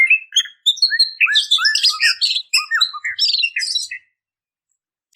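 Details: Female white-rumped shama calling to males, a lure sound: rapid, jumbled chirps and short whistles at high pitch for about four seconds, then silence.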